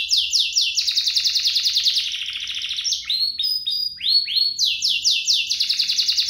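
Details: Two lively singing canaries, compiled to prompt canaries into song and to tutor young birds: fast rattling trills of rapidly repeated high notes, each note dropping in pitch, then a run of rising upswept whistles and more rapid trills.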